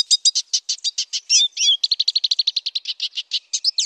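Black siskin singing a fast, high twittering run of clipped chirps, broken by a few slurred, wheezy notes. The song runs without pause and no other sounds are heard.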